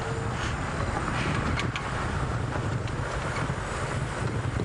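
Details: Steady low vehicle rumble with wind noise during a sunset safari drive, with no animal calls standing out.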